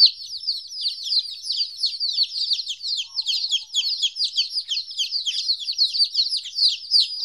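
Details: Chicks 14 days old, first time without their mother, produce a dense, loud wall of shrill descending peeps that runs without a break.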